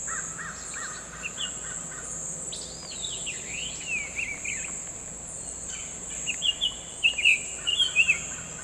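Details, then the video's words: Summer tanager in the wild: loose phrases of clear whistled, slurred notes, some dropping steeply and others rising and falling, delivered in short bursts with gaps between them, over a steady high insect hiss. "KICAU MANIA."SUMER TANAGER"(BURUNG KICAU)Full Gacor di Alam liar"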